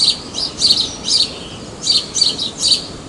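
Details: House sparrow from Praia de Pipa, Tibau do Sul, Rio Grande do Norte, Brazil: a run of loud, high, clipped chirps, several per second in uneven bunches, clear above faint background noise.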